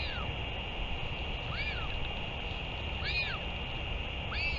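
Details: Northern royal albatross at a return and feeding, 31 May 2023: four arching calls that climb then drop in pitch, spaced unevenly, over continuous background hum.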